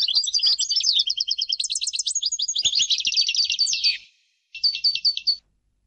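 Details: Continuous goldfinch song of rapid twittering, tinkling trills and rolled buzzy notes for four seconds, followed after a short gap by a quick run of repeated notes.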